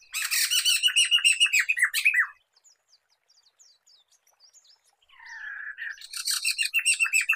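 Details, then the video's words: Black-throated laughingthrush (poksay mantel, poksay medan), a recording for luring and training songbirds: fast rattling chatter of rapid notes for two seconds, a near-silent gap, then a slurred whistle leading into renewed rapid chattering. "Kicauan Poksay Mantel (Poksay Medan)"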